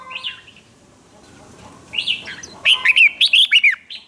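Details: Red-whiskered bulbul delivering hót ché contest singing to provoke others; after a few soft notes and a quiet stretch, a lively run of about six bright, bouncing whistled notes closes the recording.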